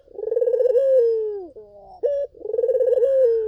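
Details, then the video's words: Collared dove song used as a lure for other doves: a rolling, pulsed coo settling into a steady falling tone, a quick bright note, then another trilled coo. "SUARA BURUNG PUTER GACOR! 100% pancingan ampuh,puter kamu pasti katut"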